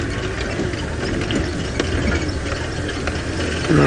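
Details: Early-morning safari drive with an idling vehicle engine rumbling low and faint speech, with a louder mechanical rattle at the end and no animal call.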